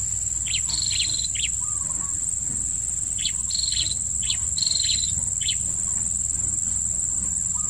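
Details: A blue-crowned hanging parrot, recorded while luring wild hanging parrots, gives sharp, high, thin tsit notes in short bursts about every second, over a steady shrill insect drone.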